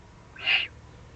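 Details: Eurasian eagle-owl below its breeding site in the Eifel, 31 May 2020: a single strong, rasping hiss of about a quarter second that swells and fades, heard against quiet low hum.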